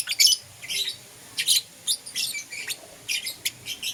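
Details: Morning chirping from pet lovebirds, green opaline euwing and lutino: sharp, high, buzzy chirp bursts spaced irregularly, roughly every half second, separated by short quiet gaps.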